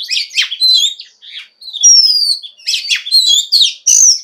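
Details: A female Oriental magpie-robin, calling to stimulate a male, gives varied, high chattering phrases mixed with thin rising whistles, in quick irregular bursts with brief pauses.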